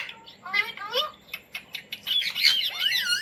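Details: Indian Ringneck parrot trained to say words like mummy and roti: quick run of speech-like warbled syllables and clicks, rising into harsher squawky chatter toward the end.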